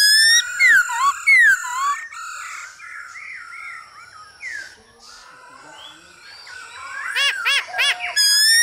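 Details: Male hwamei singing with a female's calls in the background to spur him on, for training birds: two bold falling whistles, a soft wavering warble, then a burst of fast repeated hooked notes.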